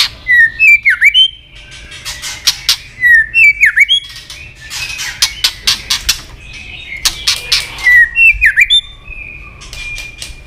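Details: White-rumped shama female voice used to excite males: a swooping V-shaped whistle repeated three times, each followed by bursts of dry rapid clicks.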